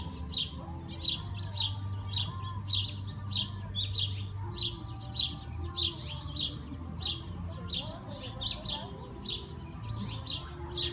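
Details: Sparrows perched in a persimmon tree after a few hours of heavy rain chirp in quick, bright, repeated notes, several birds calling over each other, with a steady low rumble underneath.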